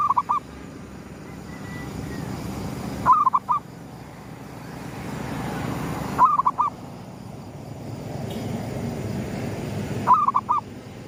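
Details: Zebra dove cooing as the sun rises, gedong mengo lure style: four short bubbling phrases, each an upswept note and a fast warble, repeated roughly every three seconds over a droning low hum.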